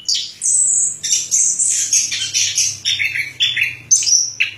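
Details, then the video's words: Orange-headed thrush song, a fast varied stream of high whistled and buzzy phrases, mostly very high-pitched, with notes dropping lower in short bursts toward the end; faint low hum beneath. "Suara Burung Anis Kembang"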